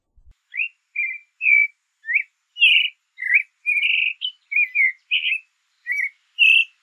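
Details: Song of a creamy-bellied thrush: separate clear whistled notes and short warbles, varied in shape, spaced roughly half a second apart with brief gaps between them.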